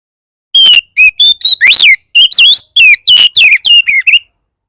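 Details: Oriental magpie-robin in a 'bar bar' lure song meant to provoke other magpie-robins into singing: loud, clipped whistled phrases with sharp rising and falling sweeps, about a dozen notes in rapid bursts, no other sounds.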